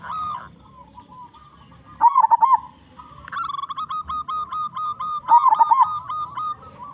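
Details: Zebra dove (perkutut lokal) with a powerful voice, used as a lure to call in other zebra doves. Rolling, warbling coos alternate with long runs of rapid clipped notes, phrases returning every few seconds.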